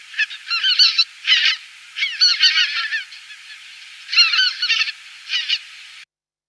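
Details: A flock of Greater White-fronted Geese migrating at night, recorded in Davis during spring migration, calls overhead in overlapping high, laughing two- and three-note yelps in bursts, with quiet gaps between.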